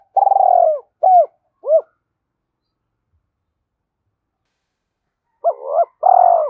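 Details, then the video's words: Spotted dove calling in quick 'thúc gù' style as a decoy for wild doves; a long throbbing coo and two hooked notes, a three-second pause, then a warbled note and another pulsing coo. "Tiếng cu gáy thúc gù tốc độ/ cu gay kich boi nhanh noi gù"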